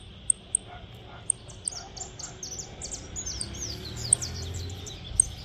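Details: Saffron finch kept by its owner, heard in the countryside: a quiet string of high, slurred chirps running together, with a few isolated sharp ticks and low background rumble.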